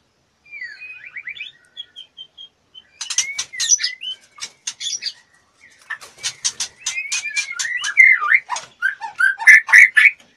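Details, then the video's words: A female white-rumped shama, in breeding condition and fluttering to solicit mating, opens with soft twittering whistles, then a sharp clicking rattle, followed by loud varied slurred whistles and chatter. "MURAI BETINA BIRAHI NGLEPER-NGLEPER MINTA DI ENCUS-CUSS"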